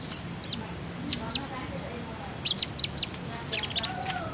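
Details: Common iora lure call meant to get young captive birds singing: sharp, very high chirps in pairs and small clusters with gaps between, ending in a quick stuttering run of notes.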